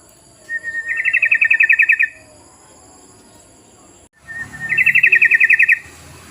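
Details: Lure call of yellow-vented bulbul, meant to prompt other birds to sing: two phrases, each a thin rising whistle running into about a second of fast, bright, stuttering chatter, separated by quiet.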